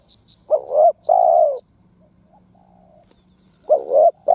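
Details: Spotted dove calling as a decoy in 'thúc gù gáy' style to arouse other doves: a wavering short coo and a longer smooth coo, repeated after about three seconds, with a third phrase starting at the end.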